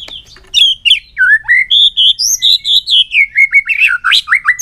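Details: White-rumped shama, perched in a cage and tail flicking, sings a long, varied, many-voiced string: loud clear whistles, slurred swoops and a rapid run of chirped notes with barely a pause.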